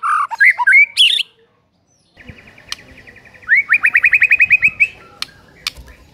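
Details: White-rumped shama singing as a morning lure for a silent bird: varied whistled phrases, a short silence, a faint steady trill, then a fast run of rising whistled notes and scattered clicks.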